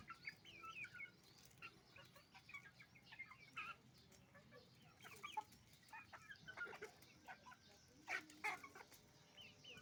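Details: A flock of roosters and hens at a chicken farm, eating rice. Constant overlapping clucks, cackles and short sharp calls from many birds, with a few louder squawks near the end.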